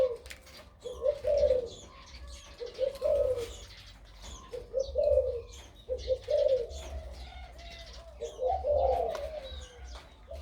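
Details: A crossbred dove nearly a year old, with a big voice that sings much in the daytime, gives deep, rolling coo phrases about every two seconds, each a short burst of low notes, with faint chirps from other birds behind.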